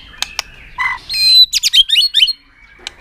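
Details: Brief phrase from a White-rumped shama in a tail-flicking display that stimulates other birds: a few clicks, a low buzzy note, then a fast run of high, sharp whistled notes.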